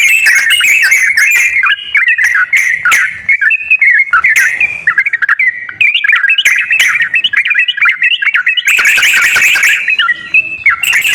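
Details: Bulbul song, sooty-headed, played as a lure to make a lazy kept bird sing. Lively run of warbled, whistled notes with frequent short breaks and a louder, busier burst toward the end.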